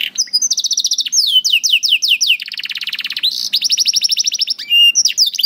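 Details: Canary song aimed at training young canaries: rapid falling whistles, a sequence of slower loud downslurred notes, then a low buzzing roll and a high steady trill.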